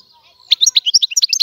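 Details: Free-living Algerian European goldfinch singing: after a brief quiet start, a fast run of bright, high twittering notes, each about a tenth of a second, rising and falling in quick succession.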